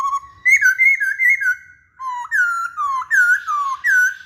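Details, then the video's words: Masked laughingthrush singing, a series of mellow, fluting whistles that slide up and down, grouped in short phrases with a brief pause midway, recorded in a quiet room. "Kicauan Poksay Hongkong"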